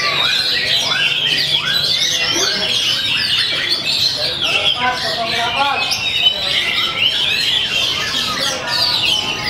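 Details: Magpie-robin kept caged at a hanging-pole contest, delivering its repertoire with steady, calm performance; varied quick whistles, slurred notes and chattering phrases follow each other continuously, with crowd noise and other singing birds behind.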